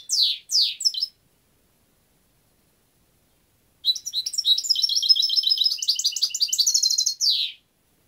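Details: European goldfinch with a few falling, slurred chirps, a pause, then a long run of rapid liquid twittering into a steady trill, ending in a downward buzzy note.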